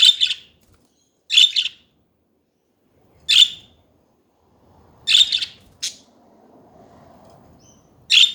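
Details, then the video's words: Chattering budgies: crisp, buzzy chirps at irregular intervals, with a faint low rustle in the background toward the end. "Hours of chatting budgies"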